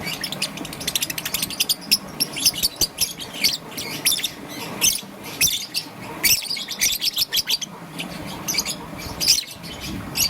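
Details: Morning chatter of a young green-and-yellow peach-faced lovebird, repeated harsh high chirps in rhythmic runs with short breaks, steady low room noise beneath.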